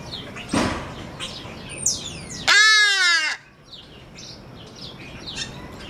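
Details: At the African Aviary of San Francisco Zoo, a very talkative hadada ibis gives one loud, harsh, nasal honk lasting about a second, sliding slightly downward, amid soft chirps and tweets from other birds.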